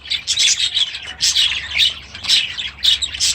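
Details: Grown-up baby budgerigars, first days after release into a new aviary this season; bursts of harsh chirps and squawky chatter in short clusters, roughly one burst per second.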